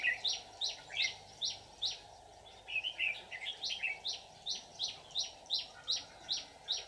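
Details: Red-whiskered bulbul decoy luring wild birds into a trap, 24 July 2019. Steady train of sharp, downward-slurred whistles, about two to three per second, broken midway by a quicker warbling burst.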